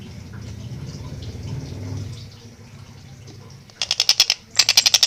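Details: Background rumble fills most of the recording before a Long-tailed shrike, singing actively with a clear, fast delivery, breaks in with two short bursts of rapid, grating notes.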